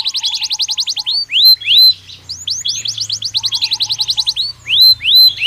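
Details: Belgian canary in natural song used for training: rapid trilled runs alternate with slower, loud rising whistled slurs, with a faint low hum underneath.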